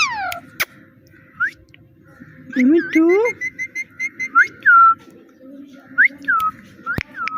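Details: Pet parrot talking and mimicking, known for "Mitthu Mitthu": a run of clipped whistled syllables, a brief lower voice-like stretch, then more rising and falling whistles, with sharp clicks and household hum.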